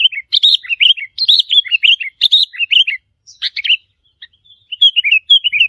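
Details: Wild sooty-headed bulbul challenge calls directed at territory holders. Dense, fast sequences of bubbling, downslurred whistled notes run almost continuously, with one short gap before a softer closing phrase.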